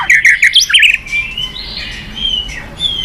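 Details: White-rumped shama giving a short rapid run of high whistled, warbling notes, followed by softer thin whistles fading out; used to provoke other birds to sing.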